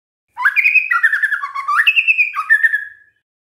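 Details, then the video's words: White-rumped shama song for luring other shamas into answering: one continuous rich phrase of warbling, fluty whistles that step up and down, lasting under three seconds, in a quiet setting. "pancingan murai batu GAK PAKE LAMA, murai langsung nyaut saat dengar ini"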